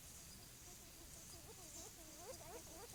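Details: Short-tailed Antthrush (Tovaca Cantadora) singing during courtship in the forest: a run of low, hooting, arched notes that grow louder and quicken over the second half, over a steady high insect hiss.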